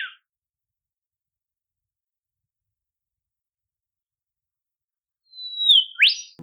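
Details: Olive whistler, a shy bird of southeastern Australia's temperate forests, calling in the wild: after long silence, a drawn-out high whistle glides slightly downward and ends in a sharp, quickly rising whip-like upsweep; a short high note opens the clip.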